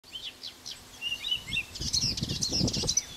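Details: Blyth's reed warbler (Acrocephalus dumetorum) singing, with wind noise throughout: thin high whistles and short slurred notes, then a denser burst of rapid chirping phrases over low gusty rumble.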